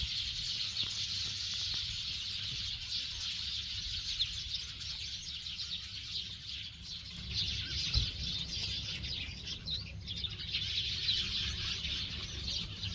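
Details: Busy high chirping and twittering of songbirds at Bongha village near Busan, South Korea, over a steady low rumble.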